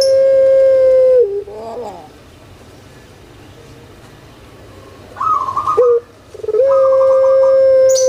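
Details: Kept collared dove, known in Indonesia as puter pelung, opens and closes with long flat coos, a lull between, then a quavering tremolo note before the final prolonged call; aimed at stirring lazy birds.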